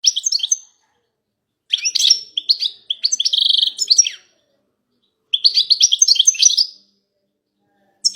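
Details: European goldfinch females calling together in a group, used to stir a male into song: bursts of high, buzzy, twittering chatter lasting one to two seconds, separated by short silences, one phrase holding a brief rasping buzz.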